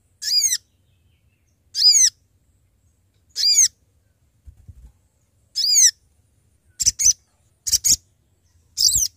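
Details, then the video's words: Sooty-headed bulbul calling to companions, recorded as a trapping lure: harsh, descending notes roughly every one and a half seconds, then shorter, buzzier double notes near the end. "Sogon Gacor Memanggil Teman"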